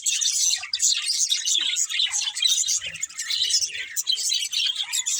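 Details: A group of budgies chatters without pause, layering bright tweets, squeaks and buzzy warbles into a busy high-pitched chorus.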